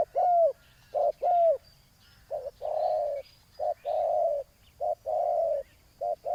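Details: Spotted dove calling while luring a rival to a ground decoy: two arched hollow coos, then a series of short-long purring coo pairs, with faint birdsong behind.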